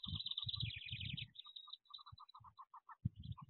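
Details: Wood duck ducklings in a nest box in 2023 give rapid high peeps in clustered runs, mixed with low scuffling and scratching sounds from their movement in the box.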